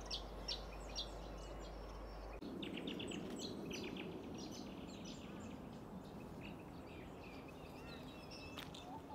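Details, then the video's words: White-breasted woodswallows at Sandy Camp Wetlands, Brisbane, Queensland, in May 2023, recorded with Canon R7 and R5 cameras: quick bursts of short, high chirps, some in rapid runs, over a steady low background rumble. "White-Breasted Woodswallows at Sandy Camp Wetlands, May 2023"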